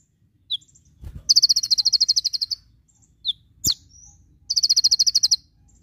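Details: Tutor recording of an olive-backed sunbird (konin), full 'tembakan' song: two long rapid high-pitched rattles of even beats, with an isolated chip, a sharp downward click and a short whistle between them.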